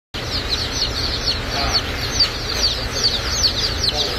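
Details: Golden Laced Polish and Blue Polish baby chicks in a US hatchery: a dense chorus of high, thin, downslurred peeps tumbling over one another several times a second, with faint low rumble beneath.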